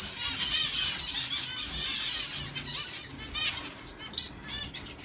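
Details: Zebra finch, a normal grey adult stud cock, sings a quick, nasal, buzzy phrase of stacked, toy-trumpet notes.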